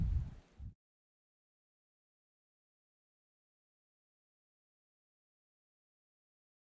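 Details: Less than a second of low, muffled rumbling at the start, then complete silence for the rest.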